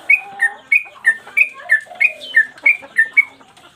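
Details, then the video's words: Sooty-headed bulbul kept as a cage bird, singing one 'mbandul' song with tail play, used as training material for other birds. Evenly spaced whistled notes, about three per second, step between a higher and a lower pitch. "Trucukan gacor mbandul satu lagu main ekor"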